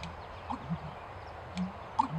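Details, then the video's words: A male American Bittern (Botaurus lentiginosus) sings to defend his territory at Snoqualmie Wildlife Area, Duvall, Washington, giving deep, hollow, low, brief gulping notes over a faint background hiss with a few scattered clicks. "American Bittern (Botaurus lentiginosus) singing"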